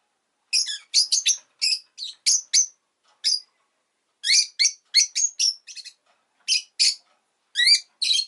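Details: Rosy-faced lovebird chirping in quick bursts of sharp, high chirps, some in rapid doubles and triples, spaced by short pauses across the recording, with a quiet background.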